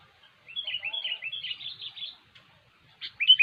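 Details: Sooty-headed bulbul in gacor, cengkram style song, used as a trapping lure: a brisk string of slurred chirps lasting over a second, a pause, then a sharp loud note at the end.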